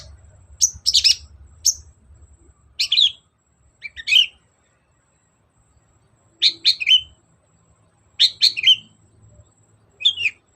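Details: Long-tailed shrike singing vigorously, used as a lure to make a reluctant bird sing and answer: short bursts of sharp, high chirps and scratchy notes, grouped in twos and threes with silent gaps between.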